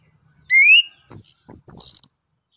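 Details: Orange-headed thrush singing in the loud, open 'ngeplong nembak' style, used to stimulate other birds: a clear rising whistle, then two bursts of harsh, high chattering notes.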